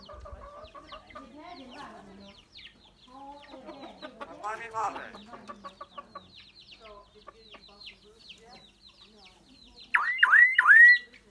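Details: Common myna giving many different sounds, a bird said to be able to learn human voices: a rambling run of harmonic chatter, nasal notes and clicks, ending in three loud, ringing, falling-then-rising whistles.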